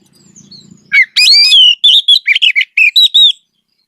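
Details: Oriental magpie-robin (kacer) in loud, lively song, used as a training recording for magpie-robins that have stopped singing: after a faint low hum, a burst of sweet whistles and scratchy, rapid, repeated high notes.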